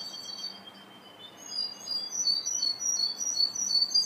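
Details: Russian or Ukrainian canary just starting to sing: high warbling twitters and short trills that grow louder and fuller over four seconds, above a faint low hum.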